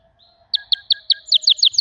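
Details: Canary singing a quick run of sharp, evenly spaced chirps, about five per second, rising into a brighter closing series, over a faint low hum.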